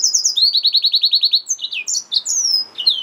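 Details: Hybrid finch, a yellow-fronted canary mule, delivering a quick trill of about ten identical sweeping notes, then varied high slurred whistles dropping in pitch.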